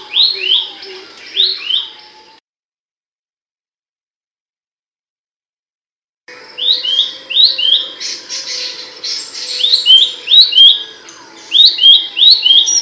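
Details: Abbott's babbler song, described as loud and sharp, played as training material for songbirds: rapid repeated rising-falling notes with short high ticks, a lower slurred whistle, a silent gap mid-way, and a faint steady hum beneath.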